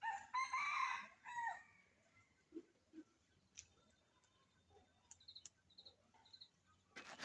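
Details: Red junglefowl heard crowing in the wild on a cold, dark winter morning, with two or three birds calling to one another. A harsh, harmonic crow runs for about a second and a half, followed by faint scattered chirps from other birds.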